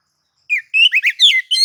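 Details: Oriental magpie-robin singing in nagan and ngobra style, used to provoke other magpie-robins to sing; a short burst of clear, slurred whistled notes rising and falling, after a brief silence.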